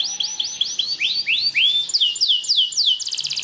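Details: Belgian canary singing a training song meant to stimulate other canaries to sing: a run of high down-slurred whistled notes, each repeated a few times per second, ending in a fast, even, rattling trill.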